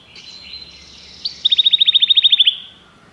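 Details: Common canary giving a soft, wavering high note, then a crisp run of about fourteen rapid repeated chirps, with faint background hum.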